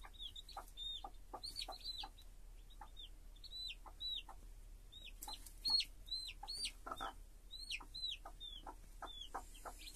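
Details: A hen and her chicks: dense, overlapping high peeps from several chicks, each a short falling note, in busy flurries over ten seconds. Sharp clicks and taps come between them.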